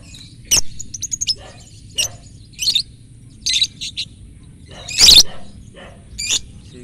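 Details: Lovebird at a bird-singing contest, drawing attention: bursts of shrill, buzzy chattering notes, some in rapid trills, separated by short pauses, with low crowd noise underneath.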